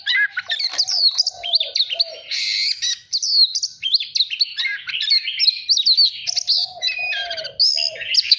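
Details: An oriental magpie-robin sings for voice training and to spur birds into competitive singing. The song is continuous and rich, with fast, varied whistles, rising and falling slurs and chirps, plus faint lower warbling notes at times.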